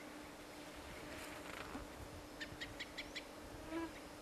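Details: White-morph gyrfalcon, wild and breeding at a nest somewhere in Siberia: a short run of five clipped, evenly spaced notes after a softer, blurred call, over a constant insect hum.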